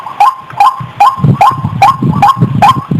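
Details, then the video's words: White-breasted waterhen lure call: clipped, rising honking notes about every four tenths of a second over a low rumbling, muttering background noise. "SUARA PIKAT BURUNG RUAK RUAK MASTER‼️JERNIH,Burung Wak Wak GACOR"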